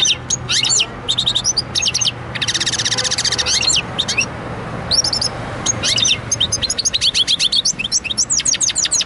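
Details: Goldfinch and canary hybrid singing: varied bright twitters, quick chirps and fast metallic trills in short bursts, one rattling buzzy phrase, ending in a run of rapid repeated notes over a low steady hum.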